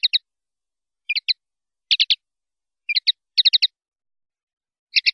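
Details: Common linnet, 'pardillo limpio' song from 2019/2020: brief groups of sharp, high twittered notes, two to four at a time, separated by short gaps, no other sounds.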